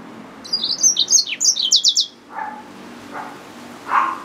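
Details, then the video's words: Hybrid finch, a yellow-fronted canary mule, gives a quick high twittering phrase that ends in rapid falling notes, followed by a few faint lower muffled sounds. "SERINUS Mozambicus | سيرينوس موزمبيق | Yellowfronted canary mule | Hybrid Finch | Nature Bird sounds"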